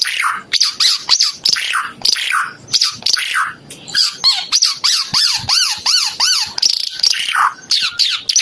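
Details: A Timor red-eyed bird delivers rhythmic bursts of harsh, high chatter, followed by a neat series of rising-and-falling looped whistles repeated about three times a second.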